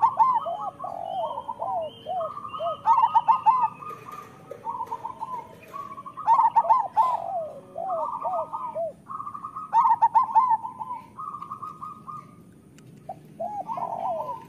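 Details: Chorus of local zebra doves, used to stimulate idle or moulting doves to sing. Overlapping, bubbling, stuttered coo bursts and strings of soft repeated notes continue throughout.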